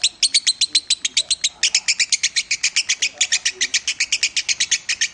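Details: Lovebird delivering Minor-type song as a master recording: rapid, bright chirps, a brief quicker burst at first, then a steady run of about seven per second, faint murmurs below.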